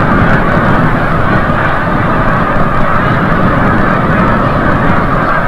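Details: Snow Geese at Forsythe National Wildlife Refuge, Oceanville, New Jersey, coming back from the bay at sunset; a thick wash of distant honking from many birds, with a low rumble beneath.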